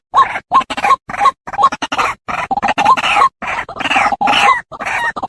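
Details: White-breasted waterhen call used as a lure to attract the birds: loud, harsh, croaking notes in quick rough bursts, roughly three per second, repeated steadily through the clip with short gaps between them.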